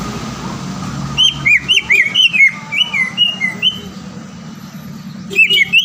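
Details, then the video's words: Green leafbird song played as a lure to provoke a rival: quick slurred whistles in a run of roughly ten notes, then a pause with low background hum and a short whistled burst at the end. "PANCINGAN CUCAK IJO GACOR AGAR CUCAK IJO LAWAN SEKETIKA LANGSUNG BUNYI DAN EMOSI"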